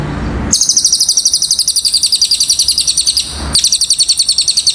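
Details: Cililin bird song used as a tutor recording for training birds: a high, rapid trill of sharp chirping notes at about nine per second, a long burst, a brief pause, then a second burst.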